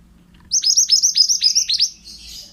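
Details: Pied bushchat male in lively song, meant for training other birds: around eight sharp, high, hooked notes in rapid succession, ending in a short buzzy fade.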